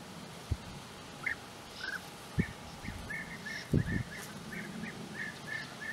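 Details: European bee-eaters calling near their nesting burrows in the flat landscape of Puszta Eldorado: short rolling trilled notes repeated in loose series, with a few dull low thumps and soft background hum.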